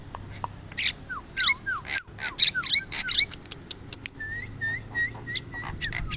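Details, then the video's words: Javan myna singing a mixed phrase: harsh buzzy bursts, then a run of slurred falling whistles, followed by a row of short rising whistled notes repeated about twice a second, over a faint low hum. "Burung Jalak Kebo"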